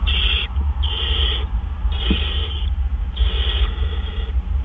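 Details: Owl at 4:03 AM, 12 April 2013, while a male brings food. Long hoarse hissing screeches, some nearly a second long, alternate with short pauses over a persistent low droning hum.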